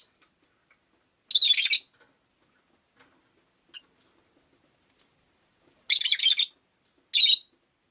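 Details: Rosy-faced lovebird kept as a pet giving three bursts of shrill, harsh chirping: a half-second burst near the start, then a longer buzzy run and a short final burst after a long quiet gap.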